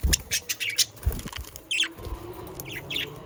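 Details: Budgerigars from South Holland, Netherlands, used to prompt pet budgerigars to sing: quick series of high scratchy chirps followed by descending warbled notes, steady and busy throughout, with low thuds underneath.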